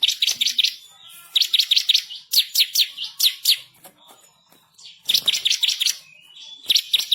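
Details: Energetic bar-winged prinia, locally ciblek kristal, singing a lively master song of rolling trills and sharp shots. Dense, rapid series of high, rattling chirps come in repeated bursts with short pauses between phrases.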